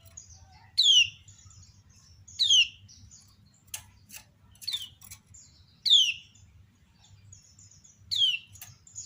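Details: Ciak calls of a female kecial kuning, a lemon-bellied white-eye, drawing replies from many others: bright downward-swooping chirps at irregular intervals, interleaved with softer short tweets and clicky notes from nearby birds.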